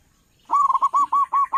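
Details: Big-voiced local zebra dove calling as a trapping lure: a fast run of loud, arched, rolling coos repeated in quick succession.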